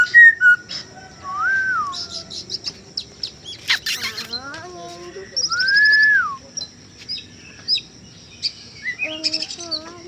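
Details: Male Chinese hwamei singing in scattered phrases. Looping whistles rise and fall, high chattering trills and short chirps are broken by quiet pauses, and there are a few clattering knocks near the middle.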